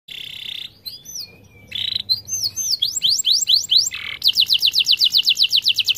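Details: Canary singing a long continuous song meant to lure silent canaries into song: whistled notes, rising and falling sweeps, then rapid bright trills ending in a fast, steady, buzzy run of about four notes per second.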